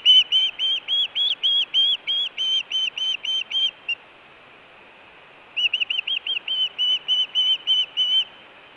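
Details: Osprey at a Montana nest in June 2017, giving food or alert calls. Two bursts of quick whistled chirps, roughly three or four per second, separated by a pause of nearly two seconds.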